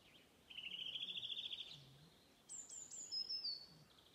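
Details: Redwing singing its local dialect song at Åstholmen on 29 May 2021: a fast, slightly rising chattering trill of repeated notes lasting about a second, then a pause and a very high, thin series of descending whistled notes.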